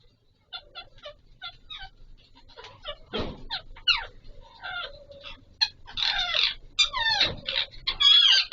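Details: Alexandrine parakeets, known locally as Pahari Kashmiri parrots, during mating; short clipped chirps building into loud rasping squawks and screeches with bent harmonics, denser toward the end.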